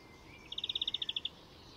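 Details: Icterine Warbler at Fysingen reserve north of Stockholm, Sweden, giving a brief even trill of about twelve quick, high notes in just under a second, then falling silent against faint background hiss.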